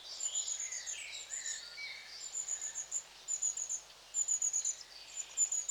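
Long-tailed tits give thin, high, buzzy and twittering calls from several birds at once, with a faint steady insect-like hiss in the background.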